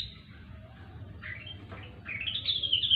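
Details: Grey-cheeked bulbul (rengganis, cucak wilis) singing gacor-style, meant as a lure for birds that have stopped singing. Faint scattered whistles, then a louder run of bright warbled notes near the end over steady low hum.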